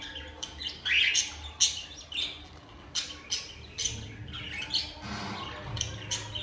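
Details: Breeding-mood cockatiel pair making mating calls: loud grating squawks repeated roughly every half second, mixed with buzzy chatter and a high whistled note early on, over a quiet low hum.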